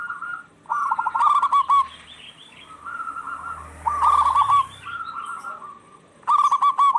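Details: Zebra doves of the local type answering each other, meant to draw song from a stressed dove. Short bursts of fast purring coo notes alternate with quieter drawn-out tones and a low rumble midway.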